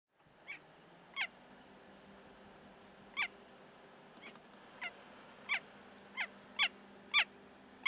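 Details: Giant kingfisher in Kruger National Park gives loud, harsh, clipped notes, about ten in eight seconds, irregularly spaced and growing louder, over faint high insect-like chirring.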